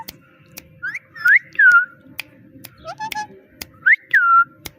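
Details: Small parrot mimicking a cat's "meow" with clear whistles that rise and fall, alongside brief voiced syllables and regular sharp clicks, indoors.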